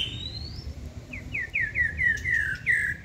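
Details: Wild-caught white-rumped shama, kept caged and in its second season, singing with tail fanned when excited. A rising whistle opens, then about eight quick, falling chirped notes run in a steady, accelerating series, with a low hum behind.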